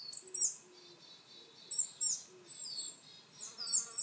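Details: Willow tit calling, with some coal tit and varied tit voices also present: bursts of high, thin chips and down-slurred notes come every second or so, with quiet low steady tones between.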